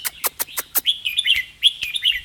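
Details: A caged red-whiskered bulbul gives five sharp ticking clicks in quick succession, then bright, bubbling whistled phrases twice in a fast, doubled run, while its owner urges it on to sing doubled phrases.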